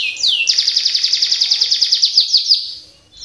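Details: Colour canary in full song with a fast rolling, shooting delivery, giving a falling whistle then a rapid, even trill of about twenty bright repeated notes over two seconds, ending with a rising note.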